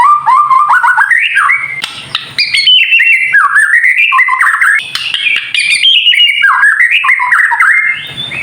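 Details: White-rumped shama, a kept bird, in rich continuous song used to provoke other birds: rapid chains of whistled, sliding notes rising and falling, with faint low hum beneath.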